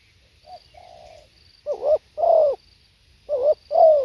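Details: Spotted dove in song: a quiet short note and a soft, level hum, then two loud phrases of a quick coo followed by a longer, swelling, falling coo.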